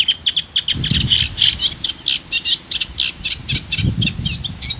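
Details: Eurasian reed warbler at Parque Natural El Fondo, Comunidad Valenciana, Spain, recorded on a Sony camcorder; continuous rhythmic chattering song of grating, churring notes repeated several times a second, with low thumps of handling noise.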